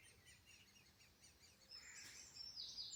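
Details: Young great spotted woodpeckers calling from a nest up a cliff in the Undercliff near Ventnor, Isle of Wight, apparently being fed, repeat faint, high chattering notes rapidly, several per second, with a brief louder chirp from another bird.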